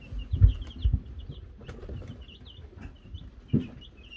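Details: Baby Wyandotte chickens of Silver Laced, Gold Laced and Gold Laced Blue varieties, filmed in May 2022 after receiving a bell; thin high cheeping runs steadily throughout, broken by loud low knocks and bumps.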